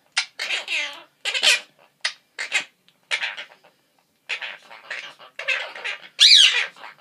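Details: Two pet Quaker parrots (monk parakeets) being coaxed by their owner for kisses chatter in short, shrill, speech-like bursts, imitating human words, with a harsh squawk near the end.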